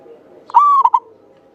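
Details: One song phrase from a local Javanese zebra dove in full voice, long and clear, kept as a lure: an abrupt start, a smooth sustained coo, then two short quick notes. Faint low background hum.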